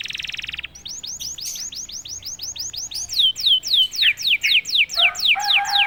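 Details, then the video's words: Caged domestic canary singing right after a single prompt: a brief buzzy trill gives way to a long series of swooping whistled notes, about four per second, sliding downward and growing louder toward the end. "KENARI GACOR||060|| Sekali pancing kenari diam langsung bunyi."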